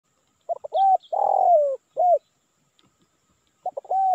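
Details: Spotted dove cooing as a lure call to draw wild doves in Indonesia: two clipped opening notes, then a long, husky coo sliding downward and a short rounded final note. The phrase starts again after a pause of about two seconds.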